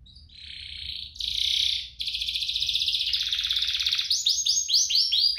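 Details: Canary song intended to prompt other canaries to sing; opens with buzzy sustained notes, moves into a rapid rattling trill, then a series of clear falling swept notes.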